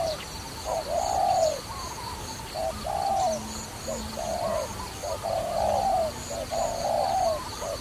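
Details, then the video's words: Repeated dove coos recorded while trapping: brief notes alternating with longer swelling coos in a quick, uneven series over several seconds, a soft lower hum and high steady tone underneath. "Wonderful Trapping Dove"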